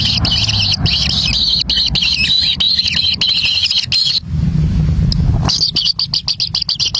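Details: Nestling kingfishers begging for a black lizard carried in by a parent. A harsh, continuous buzz stops for about a second amid low rumbling, then resumes as fast, clipped, repeated notes.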